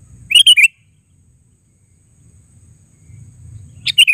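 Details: Sooty-headed bulbul calling: two short bursts of bright, chirpy, bubbling notes, separated by about three seconds of quiet with faint low background rumble.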